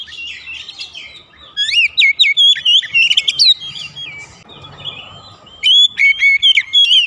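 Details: Oriental magpie-robin singing as a lure to get house-kept magpie-robins singing: varied whistles and sharp upswept notes in two loud bursts around a softer, twittering middle section.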